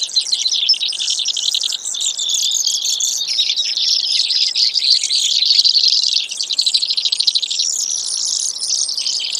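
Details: Brewer's sparrow singing almost ten seconds of high, rapidly pulsed buzzy trills that change tempo and pitch, with brief, slower, choppy notes near the end.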